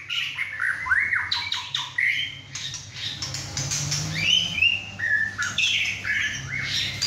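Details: Young caged male White-rumped shama singing hard at home in company with two other birds, after his first moult; rapid bursts of squawks and sliding whistles with overlapping calls and steady low hum.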